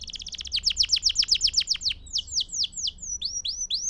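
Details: Canary singing to train young birds: a very rapid run of sharp descending notes, slowing into separate downward whistles, then rising upslurred whistles.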